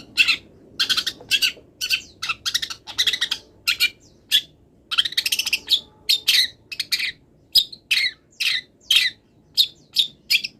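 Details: Wild long-tailed shrike still moulting, pouring out a song full of mimicry: sustained runs of fast scratchy twittering and sharp high chips in regular bursts, later spaced into separate whistled notes.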